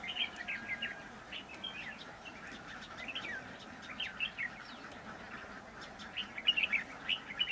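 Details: Red-whiskered bulbuls near a trap: a steady stream of quick bright chirps and warbled notes, several overlapping phrases, growing louder and sharper toward the end over a soft background hiss.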